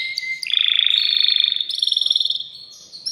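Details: Male canary singing to stimulate a female to mate: a plain whistle, then a loud rolling trill that shifts higher into fast pulsed notes.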